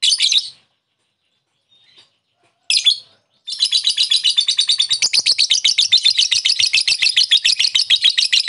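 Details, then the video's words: Lovebird calling to lure an opponent into ngekek: short harsh chirps, then a long rapid rattling trill of sharp, high notes repeated about four per second. "Pancingan Lovebird memanggil lawan sangat receh,jos memancing Lovebird agar ngekek"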